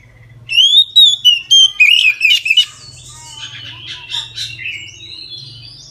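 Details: Oriental magpie-robin giving its full 'ngeplong' song at midday to prompt other magpie-robins: six loud whistled phrases in quick order, then a quieter stretch of chattering, scratchy notes and soft twitters.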